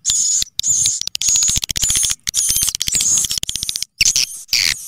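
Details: Swiftlet lure call meant to attract swiftlets, made of loud high-pitched buzzy chirping and rapid clicking trills in near-continuous bursts with brief silent breaks.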